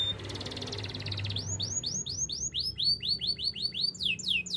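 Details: Spanish Timbrado canary training song: a short high trill gives way to a run of very high, clipped, downslurred whistled notes repeated about four times per second, with a faint low hum beneath.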